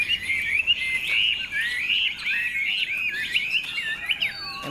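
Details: A tame, cage-accustomed Chinese Hwamei sings a loud, continuous run of rich, varied whistles and slurred phrases, rising and falling without pause, flicking and beating its tail as it sings.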